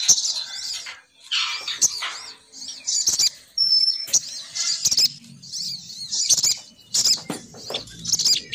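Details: Lure call of a female sogon bird meant to bring males down, made of bursts of high, shrill twittering and squeaky whistles, separated by brief pauses, with a faint low rumble beneath.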